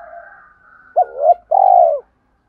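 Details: A spotted dove lure coo for training decoy birds: after a soft, drawn-out whistled tone, one phrase follows, a short rising double hoot and a long, gently falling coo.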